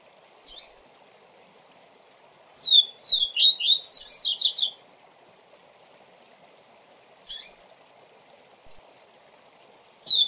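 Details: A double-collared seedeater gives its tui tui zel zel teaching song: a short burst of whistled slurs quickly turning into a dense, high, buzzy twitter, then isolated sharp chips spaced seconds apart.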